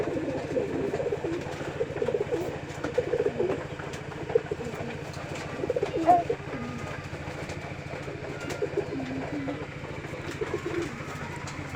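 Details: A pair of pigeons in Trishal gives low, soft cooing. Repeated throaty murmurs overlap through the recording over a constant low mechanical hum, with scattered clicks and handling noises.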